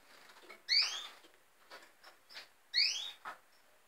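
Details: Red siskin giving two sharp, rising twangy calls about two seconds apart, each with a harmonic overtone, interspersed with short soft chips and light clicks.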